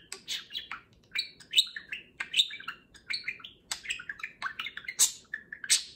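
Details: Indoor pet budgerigar talking during a morning grooming session with a companion budgie; rapid, nonstop run of sharp chirps, squeaky warbles and clicky syllables at a steady pace, fairly quiet.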